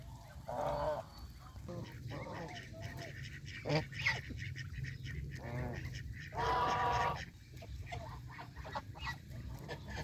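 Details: Farm geese, adult and young, grazing fresh grass beside a pond in the countryside; bursts of harsh honks from several birds, separated by quieter gaps with low background rumble.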